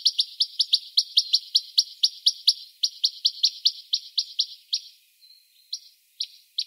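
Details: Western rock nuthatch in the wild, March 2020, İzmir, Türkiye: a fast run of sharp, high, clipped notes at roughly five per second, then slowing into a few spaced, separate notes near the end, with a clean quiet background.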